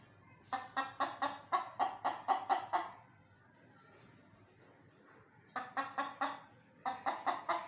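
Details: Chicken: quick series of sharp clucks, about eight in a row, then a pause and two more rapid bursts of clucking.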